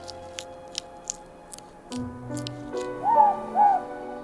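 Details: Morepork (ruru, New Zealand's native owl) in the forest of Little Barrier Island (Te Hauturu-o-Toi) gives its two-note hoot, a mellow, slightly falling 'more-pork' near the end, over soft orchestral music and a few faint clicks.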